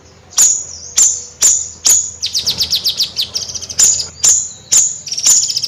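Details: Bayeman bird mixing sharp high notes with a fast rattling run of descending chips in the middle, then more spaced ringing calls.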